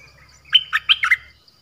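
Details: Nok dok taeng song played for young birds to copy, also used to call wild birds and excite birds: one short phrase of five bright, clipped whistled notes falling and rising, with faint low hum underneath.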